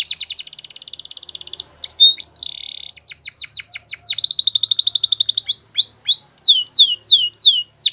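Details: Belgian canary song mixing fast rolling trills, a buzzy held section, runs of sharp downward-sweeping notes and another long rattling trill before more repeated swooping chirps.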